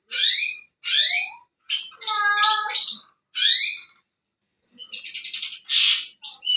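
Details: Lively masteran bird song used to make other birds answer: bright chirping phrases with rising and falling whistled notes, a buzzy middle section with stacked tones, then rapid trilled bursts, separated by brief silences.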